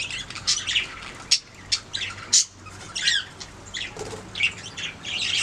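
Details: Budgerigars making sounds: scattered loud squawks and sharp chirps between softer scratchy chatter, with uneven gaps between the calls.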